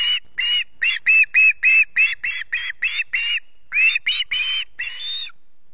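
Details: Hungry osprey chick at the RSPB Loch Garten nest in the early morning of 14 August, screeching for food: a rapid series of short, harsh, high whistled notes, about three per second, in uneven bursts.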